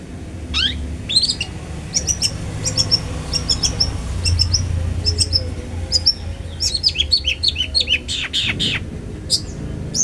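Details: Long-tailed shrike, a fighter bird used to provoke other shrikes into calling, gives quick runs of short, high chirping notes ending in harsher scratchy calls, over a low background rumble.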